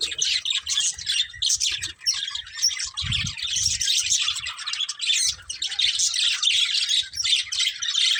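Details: Budgerigars, a breeding pair, chirping together: a continuous busy chatter of high, twittering warbles and squeaky chirps with barely a pause, and occasional soft low thumps in the background.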